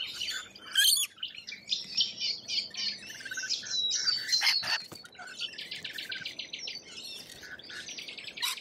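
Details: Australian lorikeets chattering in a busy tangle of high, grating screeches and short buzzy bursts, with a few sharp whistled notes in between.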